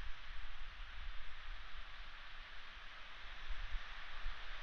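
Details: Steady hiss of rain or white noise, with no calls heard.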